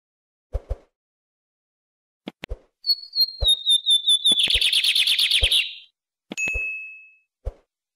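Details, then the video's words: Lined seedeater (bigodinho) song, a long gliding whistle dropping into a rich, fast buzzy trill, surrounded by sharp knocking clicks and a steady pure whistled tone near the end. "OS 7 CANTOS MAIS BONITOS E MELHORES DO BIGODINHO"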